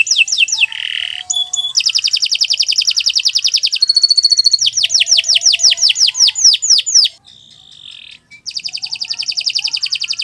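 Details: Canary in extended training song: varied phrases of falling whistles, fast buzzy trills, a pure held tone and a hissing note, switching every second or two, ending in another rapid trill.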